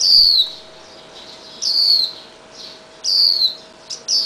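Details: Swinhoe's white-eye fledgling on a garage steel beam, fed red berries by its parents after release; piercing, thin, descending notes sound roughly every one and a half seconds, with a short extra note near the end.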